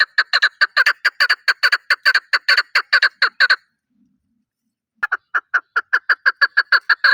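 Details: Chukar partridge (chakor) calling: a fast run of about eighteen sharp, clucking chuck notes over three and a half seconds, a one-second silence, then a second quicker series of similar repeated notes. No other sounds.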